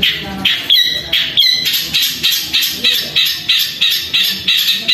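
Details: Long-tailed shrike singing loud, long and continuous, imitating fighting sparrows: harsh, scratchy chirps repeated about twice a second in an unbroken chattering run, with faint background noise.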